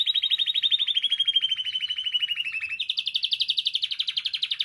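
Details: Spanish timbrado canary singing as a model for teaching song: a continuous rapid rolling trill, pulsed about four times a second, gliding slowly lower before jumping to a higher, brighter trill.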